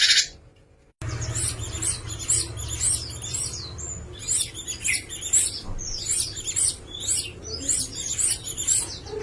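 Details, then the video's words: Java sparrow giving a varied song of quick, high chirps and short twittering notes, strung together in dense clusters for about eight seconds after a brief quiet start. "VARIASI KICAUAN GELATIK"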